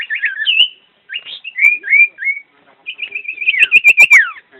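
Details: Common iora, called a champion bird in vigorous song, giving clear whistled phrases: short slurred and warbled notes with pauses, then a fast run of repeated whistles ending in a quick falling slur; otherwise quiet background.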